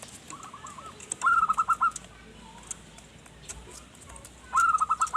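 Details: Singing zebra dove used as a lure for wild birds: a soft lead-in of coos, then a fast bubbling series of clear notes, repeated once more near the end; light clicking in the background.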